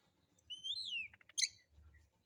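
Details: Kacer, the Oriental magpie-robin, singing harsh material as a calm lure for other birds: a long arched whistle sliding down, a few quick low ticks, then a sharp buzzy burst, in a quiet setting.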